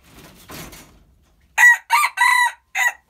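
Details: Hybrid red junglefowl crowing: a short crow in four loud, harmonic bursts, the third drawn out longest, after faint rustling and a brief soft noise.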